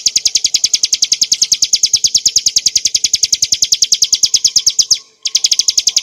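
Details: Hill prinia song used as training material for cage birds: a fast, steady run of sharp, high chirps, about eight per second, broken once by a short silent gap.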